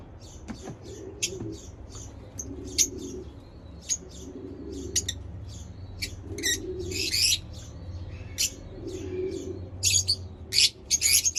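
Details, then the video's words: Single high, sharp lovebird chirps sound at irregular intervals, now and then running into short bursts of scratchy chatter, over a recurring soft low cooing. "lovebird chirping sounds"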